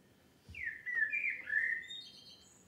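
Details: A common blackbird recorded in France sings a mellow, fluting phrase of slurred whistles, falling then rising, ending in a few thin, high twittering notes.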